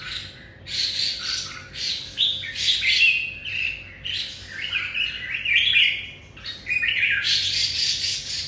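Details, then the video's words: Red-whiskered bulbul singing to greet the new day: lively bursts of bright, warbling and chirping phrases, some rising and some falling, delivered in quick, almost unbroken succession. A faint steady hum sits underneath. "Chào mào hót chào ngày mới"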